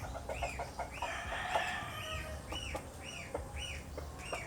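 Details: Philippine wild Asian glossy starling (Galansiyang): a string of arched whistled notes spaced under a second apart, interrupted by a short rough buzz and light clicking.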